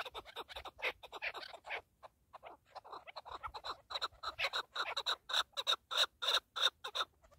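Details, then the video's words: Partridge (keklik) uttering a long run of loud clipped chattering notes that quicken and grow stronger toward the end, each note a sharp broadband burst. "KEKLİK / PARTRİDGE"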